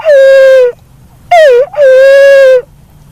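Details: Loud hooting of a black-naped fruit dove, called punai walik haji or walik kembang. A long level coo, then a short dipping note joined to another long steady coo. Background is quiet.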